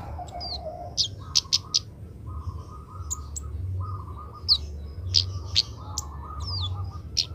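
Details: Young Oriental magpie-robin being trained to sing, giving scattered sharp high chirps and short slurred whistled notes with pauses between them, over a repeated low warbling phrase, a steady low hum and background noise.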